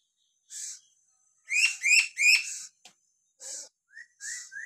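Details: Lory from Papua giving natural whistles: a run of loud, slurred notes rising and falling around mid-high pitch, three rapid in a row, then shorter upward-inflected whistles, with hissy bursts between.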